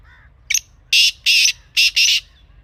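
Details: Black francolin, wild, recorded in Pakistan's countryside: a quick clipped note, then four loud scratchy notes paired two and two, with a faint lower call just before.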